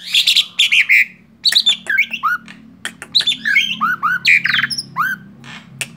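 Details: Tame male Black-winged starling pouring out a rich, varied song of chattering bursts, curved whistles and squeaky slurred notes, phrase after phrase with little pause.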